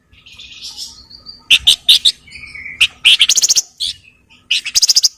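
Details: Flowerpecker in nyerecet style, busy and excited: dense buzzy chatter, sharp chips and rattling trills in quick bursts, with a short low whistle between them.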